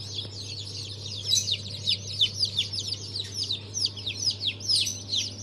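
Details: Freshly hatched Brahma, Fizan, Australorp and Legbar chicks, hatch of 3 March 2023, cheep in a dense, continuous stream of piercing falling peeps over a low droning machine hum.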